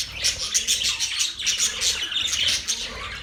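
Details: Budgies in full chirping chorus: rapid high tweets and thin whistled peeps overlap densely, with a soft rumble below.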